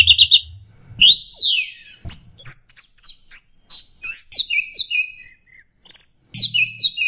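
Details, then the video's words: Orange-headed thrush songbird-training recording: a rich nonstop medley of high whistles, sweeping slurs, trills and paired piping notes, with a few low thumps. "Masteran Punglor Teler Gacor Full Isian Kombinasi Tembakan"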